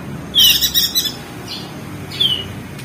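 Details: Crested white-eye from Lombok, West Nusa Tenggara, in a ngeriwik training recording for birds reluctant to sing. One sharp downslurred whistle opens a buzzy chatter burst, followed by two more thin falling whistles.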